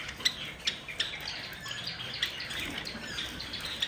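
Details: Java sparrows bathing: sharp, high chip notes at irregular intervals, roughly one or two a second, over a steady hiss of splashing water.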